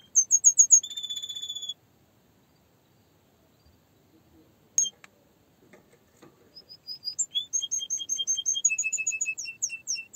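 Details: Canary gives a brief burst of chirps and a buzzy trill, falls silent apart from a sharp click and faint rustles, then resumes with a long run of rapid, high piping notes.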